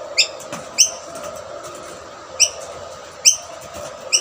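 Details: A rainbow lorikeet at a shared snack plate, where a dominant male keeps other birds away, gives sharp, high chirps spaced about a second apart, five in all, over a steady background hum.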